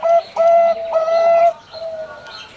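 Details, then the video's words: Zebra dove of the Bangkok type, kept at a bird farm in Pamekasan, Madura; two short coos then a long sustained mellow note, followed by a softer trailing coo. "Suara Perkutut Bangkok"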